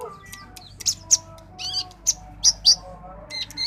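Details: Dacok-style song of an orange-headed thrush, a run of piercing high chirps and brief buzzy notes spaced irregularly over a quiet, humming background.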